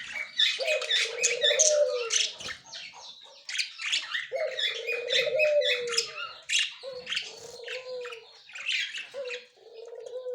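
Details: Budgerigars, a white male and yellow-green female pair, recorded October 30, 2024, chattering continuously with dense clicks, squeals and warbled notes in quick irregular bursts, accompanied by an intermittent low wavering tone.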